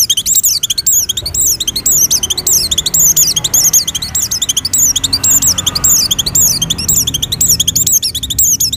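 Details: Oriental white-eye in breeding condition singing to lure other white-eyes: a nonstop stream of very high, rapid chirps and twittering notes in quick down-slurred bursts, with faint low hum beneath.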